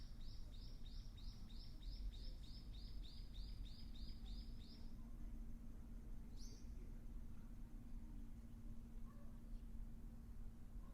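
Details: Spring arrival of a Ryukyu ruddy kingfisher on Ishigaki Island, Okinawa: a quick burst of around fourteen high, arched whistles in five seconds, followed by quiet with a low droning hum and one faint high note.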